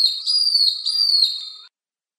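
A long-tailed broadbill gives one high, thin whistle held for nearly two seconds, wavering slightly in pitch before it cuts off abruptly.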